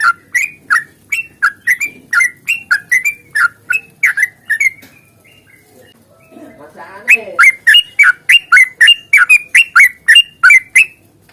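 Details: Sooty-headed bulbul delivering long rapid fighting-song runs, used to trigger singing in other birds: fast, evenly spaced bubbly whistles, a brief pause with soft rustling, then another equally brisk burst.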